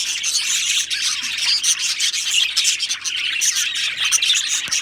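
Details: Many Australian budgerigars in an aviary colony chirping together, a dense continuous wash of high, scratchy chatter and twittering notes with bright whistled squeaks scattered through it.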